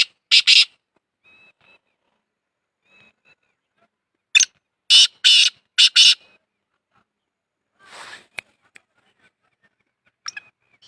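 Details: Black francolin calling: harsh, loud, grating bursts, one early and then a rapid cluster of four strident notes, separated by long quiet gaps with faint soft chirps.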